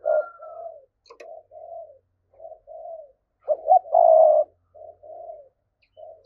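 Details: Spotted dove giving a thúc-style coo, played to lure wild doves for trapping: a run of low, hollow coo notes, some short and some drawn out, spaced by brief gaps, with a thin higher whistle at the start.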